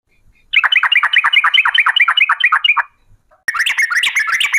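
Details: Sooty-headed bulbul song in the long 'ropel' style, used as a lure to make birds sing; a fast run of descending chirped notes for over two seconds, a pause, then a denser, harsher rapid trill.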